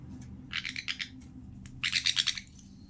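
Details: A sun conure gives two bursts of rapid, harsh, high-pitched chirping notes while playing.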